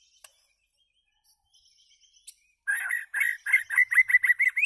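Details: White-rumped shama singing loudly; after near silence with faint ticks, a rapid phrase of repeated chirping notes begins and continues as an energetic, slightly rising series.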